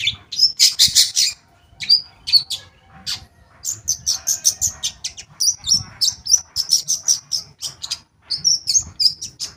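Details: Long-tailed shrike song, a lure for shrikes that have stopped singing: an opening burst of harsh chatter, then long quick runs of high, thin, twittering notes strung closely together with short pauses between bouts.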